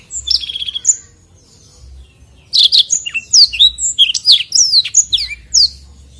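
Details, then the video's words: A black-throated canary in full, long rolling song, for bird training, gives a brief high trill, pauses, then a fast, sweet jumble of twittering notes and rolling trills. "blackthroat gacor ngeroll panjang"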